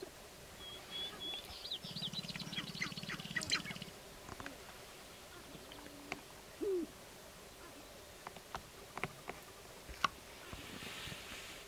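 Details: On a Northern Wisconsin lek, April 29, 2021, sharp-tailed grouse give scattered sharp chirps and clucks. A low, even buzzing rattle runs for about two seconds, then a few single notes follow against a quiet background.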